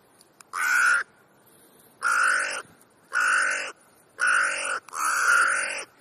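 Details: Crow close by during an afternoon gathering of many crows in Clara Zetkin Park, Leipzig, Germany, giving five loud, hoarse caws, each about half a second long, roughly one per second, over a quiet background.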